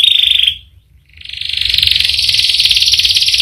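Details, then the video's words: Canary giving a long rolling song: a trill breaks off briefly, then resumes as a rising, rapid rolled phrase that continues steadily to the end. "Burung kenari gacor ngerol panjang"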